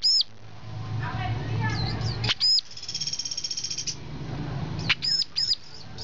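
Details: Brown-throated sunbird giving loud arched whistles, interrupted by a fast buzzy rattling trill lasting about a second, then more paired ringing notes over background murmur.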